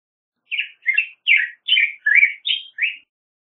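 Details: Song of the Black-headed grosbeak: seven warbled, robin-like phrases in steady succession, each about a quarter second long and slurring down then up, ending on a slightly higher clear note.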